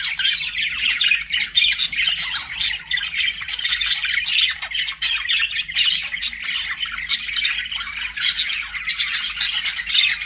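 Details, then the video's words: Budgerigars kept as pets in a sustained chattering warble: continuous overlapping chirps, buzzy squawks and twitters, loud and steady across the whole stretch. "BUDGIE SOUNDS"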